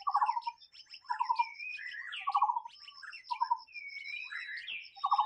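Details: White-rumped shama singing in the wild: low buzzy pulsed notes repeated about once a second, mixed with rising and falling clear whistles, over a steady high ticking in the background.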